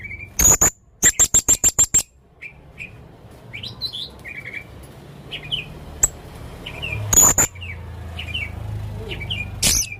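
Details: Strange calls of a vocal male Blue-crowned hanging parrot: a loud shriek followed by a rapid run of six piercing high notes, then soft, thin whistled slurs, a sharp click and a later double shriek.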